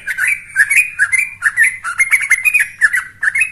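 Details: Young yellow-vented bulbul in full voice, its song used to provoke other birds into singing: a lively, continuous stream of bubbling, warbled notes and short slurred whistles, chattering without pause.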